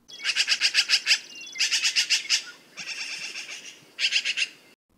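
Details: Black-billed Magpie (Pica hudsonia), a bird of sagebrush often found near ranches, giving harsh, grating chatters in quick bursts of about eight rapid notes, with short pauses between bursts.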